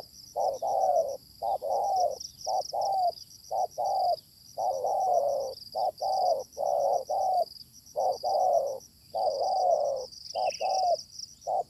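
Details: Fierce wild spotted dove drawn in by a decoy, calling at length: an unbroken run of loud, mellow coos in repeated short-long patterns lasting over ten seconds, backed by persistent shrill insect noise.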